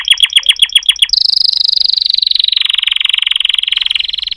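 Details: Canary song opening with a short series of pulsed notes, then changing to a long, fast, buzzy rolling trill that dips slightly in pitch and continues steadily.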